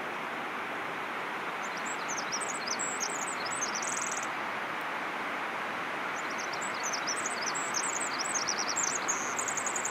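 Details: Pacific Wren on Vancouver Island giving two long, very high tinkling songs of rapid trills and twitters, each about three seconds, over a loud steady rushing like a nearby stream.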